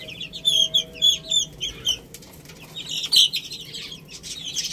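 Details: Chicks feeding on rice give a run of bright, evenly spaced peeps about every quarter second, then looser overlapping chirps.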